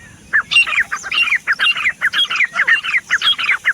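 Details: Teetar, the grey francolin, calling in a fast run of harsh, squeaky notes that rise and fall, repeated roughly twice a second with a faint low hum beneath.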